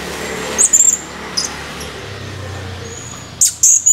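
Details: Male blue-crowned hanging parrot, recorded 17 July 2020, calling in short bursts: a quick cluster of piercing high chirps, a faint single note, then after a quiet gap another pair of shrill chirps.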